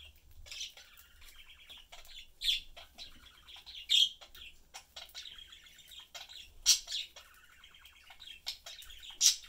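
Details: Domestic budgie family, blue dad, yellow mom and a young bird, chattering while feeding; buzzy rolling warble interrupted by loud shrill chirps every few seconds.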